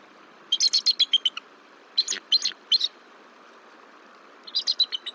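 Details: High-pitched rapid chittering series from bald eagles at the Decorah nest, 17 March 2023, as the female returns, startles the incubating male and takes over egg duty, three bursts of quick piping notes.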